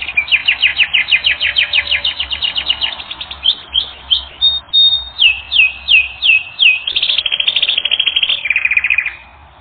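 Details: Canary singing for a training recording: fast repeated trilled notes, then a string of short rising-falling whistled slurs, ending in a low, steady buzzing roll.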